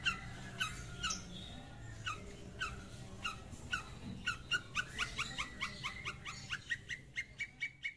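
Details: Long-tailed shrike, a vigorous singer calling a rival, used as a lure recording: short sharp notes repeated, spaced at first and then quickening into a rapid run, over a faint low hum.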